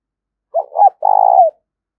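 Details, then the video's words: Spotted dove giving calls called 'gáy thúc' and 'gáy gọi', used to stimulate decoy birds. A low introductory coo and a second coo are followed by a sustained pulsing coo that drops at the tail. "tiếng chim cu gáy thúc và gáy gọi"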